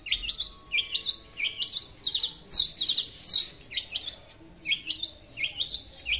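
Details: Long-tailed shrike singing hard as a lure for rivals, a rhythmic chain of rising, slurred whistled notes mixed with harsher squeaky bursts.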